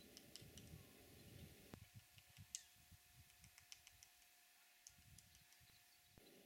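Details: Lesser spotted woodpecker hammering on a pine at a picnic site in the pine forests of Mount Teide, Tenerife: irregular sharp knocks about one a second with uneven gaps, over a low rumble and a steady faint hum.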